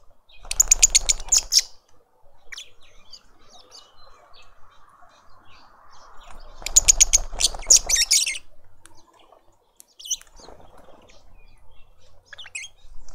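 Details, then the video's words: Lovebird family feeding a juvenile in a suburban garden in Pretoria, South Africa; two loud bursts of harsh, rapid high shrieking chatter with fluttering, separated by quieter twittering and a steady low hum. "Lovebird family feeding a juvenile"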